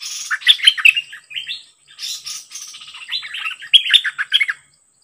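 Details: A wild-caught bird, described as very aggressive, meeting a decoy: nonstop chattering phrases of sliding whistles mixed with a buzzy rattle in the middle, ending in rapid bright notes; faint high hum in the background.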